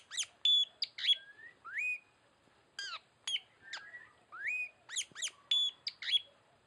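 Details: A Tanau's luring calls mix sharp down-swept chevron notes with clear upslurred whistles, repeated in quick succession over several seconds and sounding loud and clean against a quiet background.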